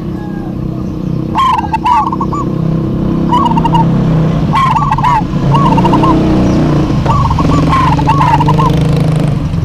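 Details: Lively duet by local zebra doves: repeated short, rippling coo phrases every one to two seconds over a constant low, engine-like hum.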